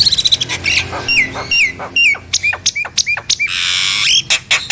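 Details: Nias hill myna song used to stir reluctant mynas into singing: a burst of sharp clicks, then a series of loud whistled notes that swoop and drop, mixed with harsh noisy bursts and a rasping hiss near the end.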